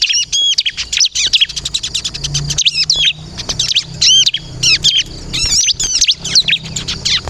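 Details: Lively 'kristal' bar-winged prinia singing for luring and provoking birds to answer: strings of high arched chirps and rapid twittered notes, with a faint low hum underneath.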